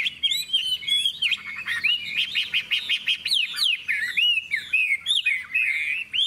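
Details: Hwamei, a caged bird singing in a contest, with bright yellowish plumage, a large tail and wing display. Rich, rapid song of slurred whistles and looping notes, sharply rising and falling, delivered almost without pause and layered with fast twittering.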